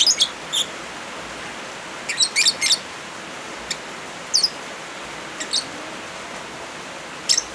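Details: Lovebirds over rain, a recording used as therapy or tutoring for birds gone quiet: scattered shrill, clipped chirps, some doubled or tripled, spaced irregularly with pauses of a second or more, against a constant rainy hiss.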